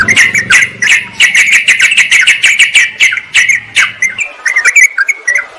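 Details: Sooty-headed bulbuls calling a rival, used to lure wild birds. A fast, steady series of chattering notes repeats about three times a second, then gives way to looser whistled phrases, with a low hum at first.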